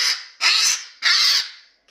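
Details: Male pet cockatoo giving a screaming alarm on sighting a hawk: three loud, harsh, broadband screams, each about half a second long, separated by short gaps.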